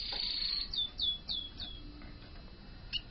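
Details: Young common iora, a wild-caught bakalan, singing a series of about five high, sharply falling whistled notes, spaced roughly every third of a second, then a pause and a final short note; light background hiss.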